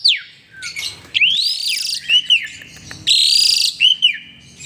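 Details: A very vocal, lively Asian pied starling in full song: a quick medley of bright rising and falling whistles, slurred notes and harsh, grating bursts, with no other clear sounds.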